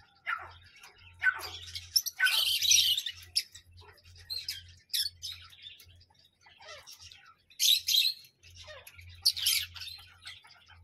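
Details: Loud grating parrot screeches in irregular bursts, some sliding down in pitch, mixed with quick chirps and a low intermittent hum.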